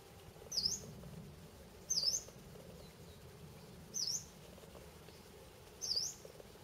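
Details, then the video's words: Yellow-browed warbler at Red Rocks, 29 September 2013, calling persistently from a sycamore: four thin, high, rising 'tsweest' calls, one every one and a half to two seconds, over a soft low rumble. "Yellow-browed warbler"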